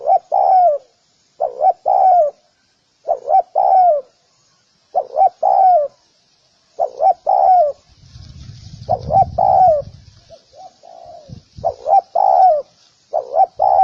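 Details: Spotted dove calling: mellow coos in phrases of two quick notes followed by a longer, louder coo that slurs downward, repeated steadily. A brief low rumbling noise intrudes midway, and a faint high hiss persists.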